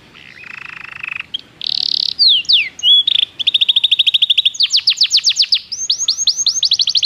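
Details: A Belgian canary sings for training: a steady buzzy tone, then a bright whistle and swooping slides, followed by a fast mechanical trill that breaks into louder, spaced downward-swept notes.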